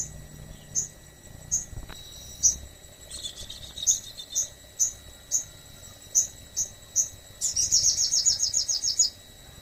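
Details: Crested jay, a bird that sings freely and is used to make other birds sing: high, clear chirps repeated roughly every 0.7 seconds, a short buzzy run in the middle, and a closing burst of quick, ringing notes.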